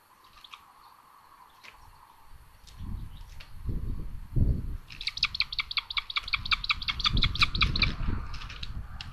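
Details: At a common buzzard nest in Tiszalök, Hungary, late May 2022, the younger sister attacks her brother. Scattered faint notes give way to a long, rapid run of sharp, ringing chips over low thumping and rustling.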